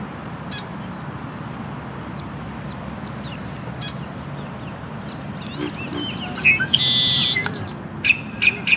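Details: Male red-winged blackbird (Agelaius phoeniceus) calling at Green Cay Wetlands, Boynton Beach, Florida, mid-April 2023: a run of short, high chips, then a harsh buzzy trill near the end, over a low steady rumble of background noise.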